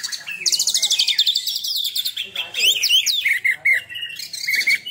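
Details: Oriental magpie-robin in a cage, singing its sharp 'tembakan' style: a fast rattling series of very high metallic notes, then varied buzzy trills, swoops and loud repeated whistled phrases in a dense, continuous stream.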